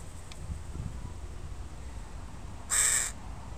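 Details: A single harsh caw late in the recording from a crow family with young in a park, after faint rustling.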